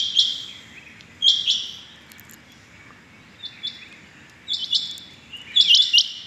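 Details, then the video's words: Rain quail heard on a morning, 6.7.21: irregular bursts of high, sharp double notes with pauses between them, over a soft hiss of background noise. "Amazing rain quail sounds 6.7.21 | today rain quail calling | آج صبح کی چنگی بٹیروں کی زبردست آوازیں"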